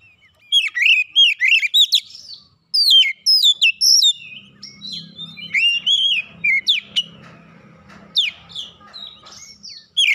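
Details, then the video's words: Kacer (oriental magpie-robin) challenging a rival after being provoked, pouring out its mimicry fill; rapid swooping whistles and sharp chips in uneven bursts over a faint low hum. "sekali pancing Kacer lawan langsung gertak naik emosi bongkar isian"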